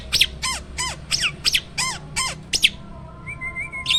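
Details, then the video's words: A caged hybrid myna sings as a master bird meant to be placed near other birds' cages for tutoring. About eight harsh, downward-bending squawks repeat roughly every third of a second, then a faint wavering whistle follows. "JALAK HYBIRD GACOOR!! MASTERNYA PARA JUARA."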